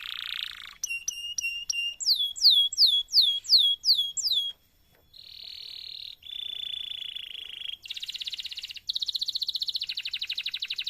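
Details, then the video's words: Canary in full, long song as a model for training other canaries: quick clipped notes, a run of loud descending whistles, then buzzy steady rolls and a fast high trill. "MASTERAN suara BURUNG KENARI GACOR PANJANG || COCOK untuk PANCINGAN KENARI lain !!!"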